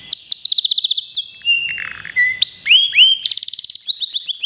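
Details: Singing-contest local canary: a fast pulsed trill, a harsh low buzzy segment, two loud upward-hooked notes, then quick high chirps repeated in pairs.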